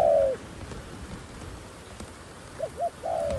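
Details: Decoy dove used to lure wild doves: one low drawn-out coo, a pause, then two short bouncing notes and another long falling coo over a steady background hiss.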